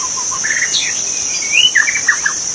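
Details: Forest magpie-robin heard wild, master recording for training birds: soft low whistles rising into a bright upslurred note, then a quick cluster of descending chirps, high insect drone throughout.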